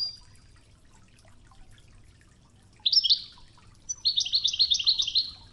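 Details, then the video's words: European goldfinch singing a training song in the Oued style called Toughza, set against flowing river water; two bursts of high twittering notes, a short one near three seconds and a longer rapid trilled run after four seconds. "الشريط الويداني الأصلي توغزة بنغمات خرير مياه الأنهار"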